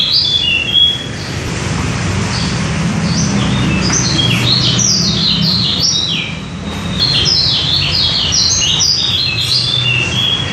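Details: Lombok white-eye, locally called pleci lombok or kecial, used as a lure bird; rapid high twittering phrases of short downslurred and upslurred notes, tumbling continuously over a low rumbling background hum.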